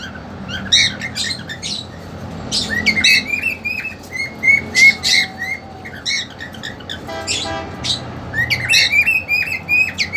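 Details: Two-month-old female cockatiel caged with a male set on mating. Dense, irregular chirping with sliding whistled notes fills the clip, broken by a brief rattling burst around the middle, with low indoor hum throughout.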